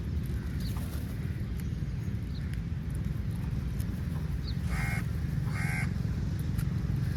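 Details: Crow calling for food amid fights with eagles over meat: two harsh, buzzy caws close together near the end, after a few faint notes, over a constant low rumble of wind or traffic.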